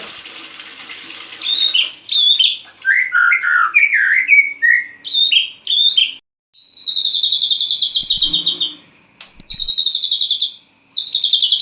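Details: Caged white-rumped shama in full dawn song after its cage is uncovered: rich whistled and warbled phrases give way to long buzzy high trills sliding downward, interrupted by a couple of sharp knocks.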